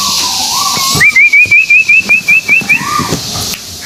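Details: White-billed tuwu bird of Malaysia, a lure call: about ten rapid, evenly repeated wavy whistles at a steady high pitch, framed by lower rising whistles from other birds.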